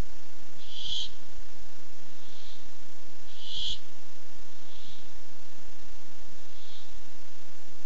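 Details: On a barn owl camera dated 8-7-15, an owl seeking food gives five short raspy screeches, loud ones alternating with softer ones, spaced under a second and a half apart against faint hum.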